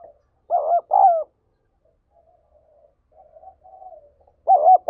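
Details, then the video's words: Spotted dove in prompting song used to rouse decoy birds: two loud, mellow, double-humped coos, a stretch of faint murmuring coos, then a further loud coo, otherwise quiet. "Tiếng Chim Cu Gáy Thúc Gáy Gọi"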